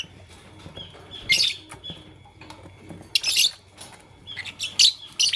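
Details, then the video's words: Morning chirping from Fischer's and masked lovebirds, loud shrill chirps in clusters roughly every two seconds, separated by quieter pauses with a faint thin whistle. "LoveBird Chirping Sound - Lovebirds Fischer & Lovebirds Personata"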